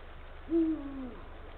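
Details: Male Eurasian eagle-owl at the nest site in late afternoon, 17 February 2023 at 16:45, calling to his mate: one deep hoot that rises briefly, holds, then slides lower and fades over about half a second. Faint background hum.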